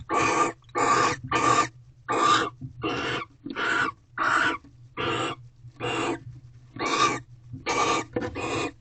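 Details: Barn owls in an owl box at Corral on 19 February 2023, 10:30 pm, the male a good provider and the female eating his rodent gift; about fourteen harsh, broadband hissing screeches, each roughly half a second, coming in quick uneven succession.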